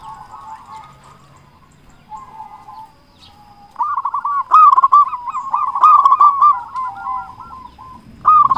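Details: Vocal local zebra doves in a lure recording meant to stir rival doves: soft, muffled coos give way to a long, loud, rapid series of rolling hooked notes from overlapping birds.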